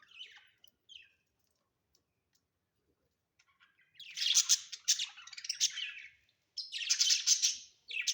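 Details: Budgies kept as pets at home: a few faint chirps, a quiet stretch, then loud scratchy warbling bursts of dense buzzy chatter in the second half.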